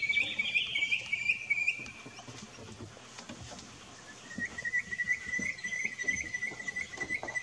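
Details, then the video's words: A noisy miner in an Australian backyard garden gives a loud, clear note sliding down in pitch, then a quick run of short, even piping notes, over soft pattering background noise. "𝐁𝐢𝐫𝐝 𝐂𝐚𝐥𝐥𝐬/𝐒𝐨𝐧𝐠𝐬/𝐒𝐨𝐮𝐧𝐝𝐬~𝐍𝐨𝐢𝐬𝐲 𝐌𝐢𝐧𝐞𝐫"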